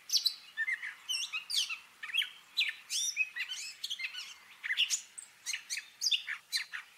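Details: Gray catbird singing a mimicking song: a rapid, varied jumble of squeaky, whistled and scratchy phrases, each note short and different, running continuously without pause.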